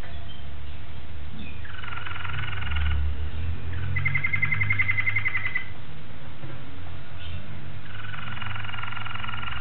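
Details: Singing Malinois Waterslager canary, 26 October 2012. Several rolling tours are broken by short pauses, including a bright, fast pulsed bubbling passage in the middle, heard over a low droning hum.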